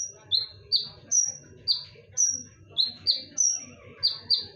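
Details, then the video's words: Sharp konin whistles for luring: high, level notes and lower notes that slide down then hold, delivered in quick irregular bursts over soft low background noise. "KONIN GACOR FULL TEMBAKAN / SUARA TAJAM DAN NYARING / BERANI DENGARKAN SUARA PANCINGAN KONIN INI??"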